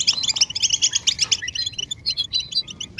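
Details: Goldfinch calls used to end a male's silence: quick bursts of sharp, high, buzzy-edged chirps in rapid rhythmic groups, followed by a few thinner twittered notes.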